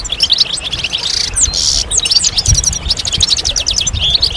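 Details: European goldfinches singing together to stimulate males coming out of moult: quick tinkling notes, a short buzzy trill, then evenly spaced chirps in a rapid series.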